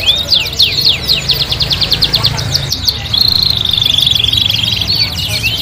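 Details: Indonesian kenari (canary) song used as a master recording for training birds: rapid buzzy rolls and sweeping high trills, then a long steady trilled note, with a faint low hum underneath.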